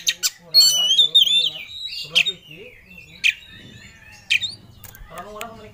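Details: Oriental magpie-robin singing with full emotion in ngobra style, seeking a rival: a rich warbled whistle phrase, then spaced single sharp notes about once a second over a low hum.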